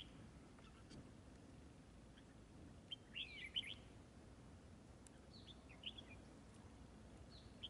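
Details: Red-whiskered bulbul during fighting-decoy trapping: quick warbled phrases of bright, jumping whistled notes in the middle, then softer answering notes later, over steady low-pitched background noise.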